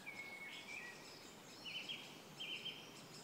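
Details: Black-necked grebe on Kala pond, Hostivice, recorded 26 May 2016: a thin whistle, then brief bright chirping notes in pairs, set against constant environmental noise and distant twittering of other birds.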